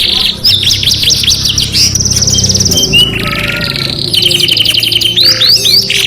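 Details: Canaries singing: rapid repeated trill runs at steady pitch, switching abruptly between rolls and sweeping whistled notes, with constant low background noise beneath.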